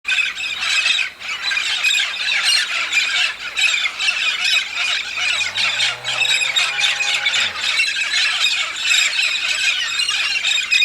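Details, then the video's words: Huge migrating flock of red-spectacled parrots in the Santa Catarina highlands, southern Brazil, gathered to eat pinhão: a dense, continuous din of harsh squawks and squeals, with a low engine-like hum rising and falling midway. "O espetáculo dos papagaios-charão (Amazona pretrei) Red-spectacled Parrot."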